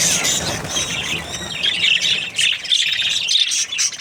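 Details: Happy budgerigar breeding pair giving a rolling, high warble of chirps and squeaky whistles, softer and more varied than a squawk, with some low background hum.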